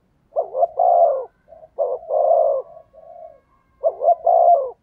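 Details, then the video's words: Decoy spotted dove in full intense cooing to entice wild birds: three rich, throaty phrases, each with a short lead note and a long wavering coo, plus a quieter coo between them. "Chim Cu Mồi/ cu gáy thúc gù cực đỉnh kích bổi dợt mồi hiệu quả"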